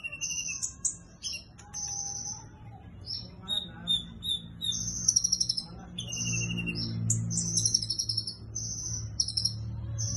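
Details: Sunbird (kolibri ninja) delivering cililin-style song with locked-in material: fast, high, sharp chips and buzzy trilled bursts in short separate phrases, with people talking and low background noise throughout.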